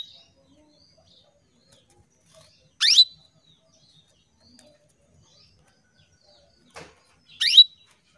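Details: Calling female canary summoning males, used to make male canaries sing: two loud rising chirps, each ending in a brief pure note, roughly four and a half seconds apart, otherwise near silence with one faint click.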